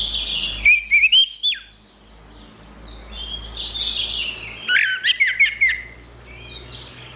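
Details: Orange-headed thrush song: quick bursts of sharp clicks and rising whistles at about one second and five seconds, with hazy high warbling filling the gaps.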